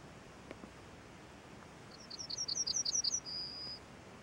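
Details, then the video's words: Small bird singing on a branch: a quick series of about eight high, bright chirped notes at an even pace, ending in a sustained thin whistle, over a steady soft background hiss. "Small bird singing on a branch"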